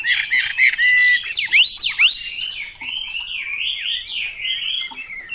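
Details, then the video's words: Chinese hwamei delivering a loud song phrase. Rapid warbling gives way to sweeping V-shaped whistles that rise and fall steeply, then the bird settles into a steadier, slightly softer run of rolling slurred notes. "Họa mi mộc dở 09"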